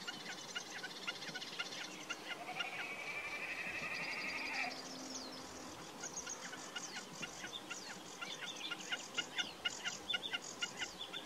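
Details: Common snipe with rhythmic, repeated ticking call notes running through a dense chorus, alongside a flat, drawn-out whistle from another bird and scattered high chirps.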